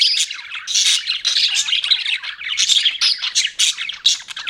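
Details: Budgies keep up a busy, harsh chatter of rasping squawks and rapid twittering chirps in short overlapping bursts, loud and high-pitched throughout.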